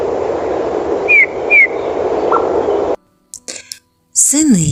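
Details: Eurasian bullfinch (Pyrrhula pyrrhula) singing in winter, a bird said to arrive with the first snow: two soft, piped, falling whistles half a second apart and a brief lower note, over steady hiss, then a person speaks.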